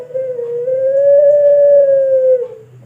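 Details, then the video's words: Long call of a Pelung turtle dove from Sragen, Indonesia, recorded as a master for training birds: a single smooth, hollow, sustained note of about two and a half seconds, gently rising then dropping away. A faint low hum runs beneath. "Puter Pelung Suara Panjang Pass Banget Buat Masteran"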